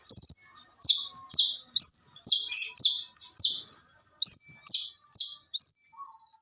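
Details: Long-tailed shrike giving a series of sharp, high descending chip notes, roughly two per second, each a quick downward slur, with thin high whistles between.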